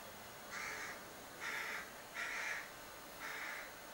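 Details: Young crow begging in a cherry tree outside a window: four nasal, drawn-out cries of even pitch, each under half a second, repeated roughly once a second over steady background hiss.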